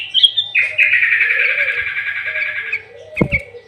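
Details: Sooty-headed bulbul in full, lively song used as a lure to provoke other bulbuls, with filled-in phrases imitating the green leafbird: a high thin whistle, then a long buzzy trilled phrase of about two seconds, ending in short sharp notes.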